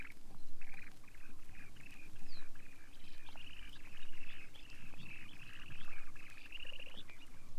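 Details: Long-billed dowitcher (Limnodromus scolopaceus), calls.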